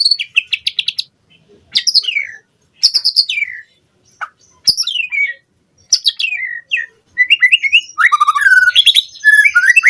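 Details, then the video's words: Tutor lure of White-rumped shama for captive birds. Fast stuttering note series and sweeping downslurred whistles come in short bursts, building at the end to continuous, varied warbling. "Pancingan Murai Batu Cepat BONGKAR ISIAN Buat Masteran Suara Burung Murai Agar Gacor Full Isian"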